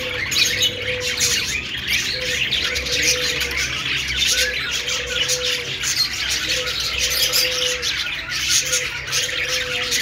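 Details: Budgerigars chattering together in a happy mood, a continuous busy stream of scratchy chirps, warbles and squawks from several birds, punctuated about every one to two seconds by short low level hooting tones.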